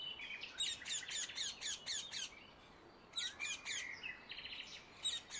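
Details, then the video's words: Rose-ringed parakeet in nature giving a rapid series of piercing, grating screeches, about eight in a burst, a short pause, then another run of shrill calls with some higher twittering behind. "Indian ringneck parakeet sound in nature"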